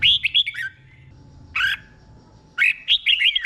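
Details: Red-whiskered bulbul in the slow doubled song style used to train caged birds: brisk whistled notes, a single harsher burst in the middle, then a lively chain of looping whistles.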